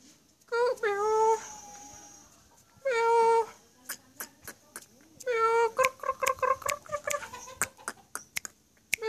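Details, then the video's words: Black-collared starling giving long, harsh, harmonic notes that slide slightly, separated by pauses, then a fast string of short clipped notes mixed with sharp clicks. "KICAUAN MAUT JALAK SURE"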